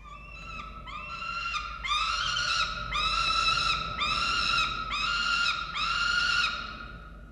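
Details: Feeding time at a falcon nest in Orange, Australia, 13 November 2022: short rasping wails that build into a fast, regular train of loud, harsh calls, then taper off.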